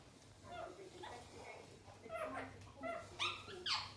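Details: Pet Indian ringneck (rose-ringed) parakeets playing together, chattering with short, varied nasal notes, building to louder rising squawks near the end, roughly two a second.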